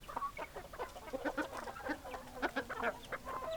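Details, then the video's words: Hens clucking in a busy flock: dense overlapping short clucks and chattering notes, several birds calling at once without pause. "Chicken Sounds Noises Hens Clucking Roosters Crowing"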